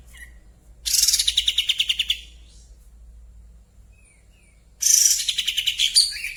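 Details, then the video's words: Kapas tembak (white-shouldered triller) in breeding condition, tail fanned, singing actively. A fast, high, pulsing trill lasts about a second, then falls silent, and a second loud rattling trill starts several seconds later. Background is otherwise quiet. "kapas tembak gacor buka ekor birahi"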